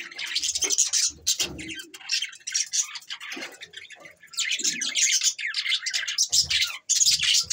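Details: Budgies, December 22, 2023, producing long runs of busy, high warbling chatter and scratchy chirps, with a brief dip in the middle before the chorus swells again.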